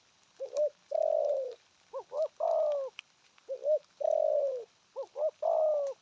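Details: Spotted dove giving steady cooing phrases. Each phrase is two short rising notes followed by a sustained, slightly falling coo. It repeats four times in six seconds.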